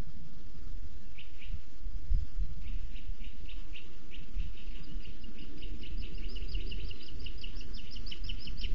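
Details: Booted eagle chick at its nest in Sierra de Guadarrama National Park, Spain, on a nest webcam, while the female feeds it a weasel. Thin, high chirps come in a series that grows quicker and denser, over a steady low rumble.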